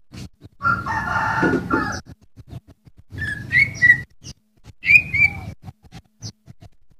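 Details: Greater Green Leafbird master recording for cage birds: a burst of harsh rasping noise, then clear whistled slurs and a falling note, with soft clicks between phrases.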